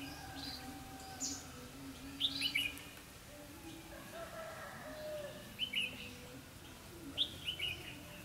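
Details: Trapping decoy red-whiskered bulbul singing competitively to lure wild birds, recorded 4 November 2016; three quick bright warbled phrases at roughly 2.3, 5.7 and 7.3 seconds over a constant low drone.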